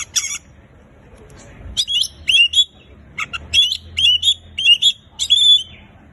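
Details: Singing Oriental magpie-robin, played to get mute birds singing: sharp rasps, then a lively sequence of short upslurred whistles repeated several times with brief gaps.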